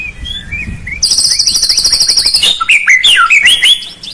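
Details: A white-rumped shama, played to provoke a reluctant bird to sing, starts with soft whistles, then a loud, high, buzzy rattle and a burst of quick looping whistled phrases.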